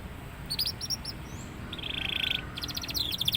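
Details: Young canary starting to sing freely: short bursts of high chirps, then a fast even trill and a rapid rattling run of notes, over a low hum.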